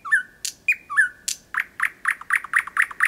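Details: Nocturnal song of a thrush nightingale in Kiili parish, Estonia, 8 May 2020, recorded from 4–5 m: a few looping whistles, then a fast chugging series of repeated notes, about four per second.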